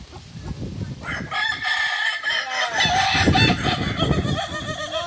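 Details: At training together in Ampang Kualo, Solok city, a Kukuak Balenggek chicken delivers a fast run of warbling, wavy crow syllables after a short noisy start, over heavy low rumbling and crowd noise.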